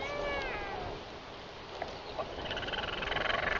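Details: Royal albatross at the Taiaroa Head colony, evening of 11 October 2021, early in the season when mostly males wait for mates: a brief harmonic moaning call, then a run of rapid pulsed clattering sounds.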